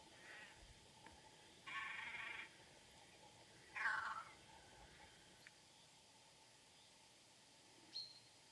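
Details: Great crested grebe (Podiceps cristatus), on the Nemunas in Lithuania, gives two harsh, bleating calls: a steady one lasting almost a second, then a shorter one that drops in pitch, and a brief faint note near the end.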